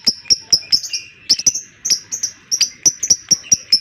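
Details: Lovebird giving a long ngekek chatter, a lure sound used to make other lovebirds sing: rapid sharp high chirps repeated about four times a second in a steady run, some notes with a brief buzzy tail.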